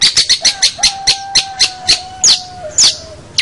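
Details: Long-tailed shrike master song for training young birds, with a rapid series of short clicking chips, a thin steady whistle held beneath them, and two sweeping downslurred notes near the end.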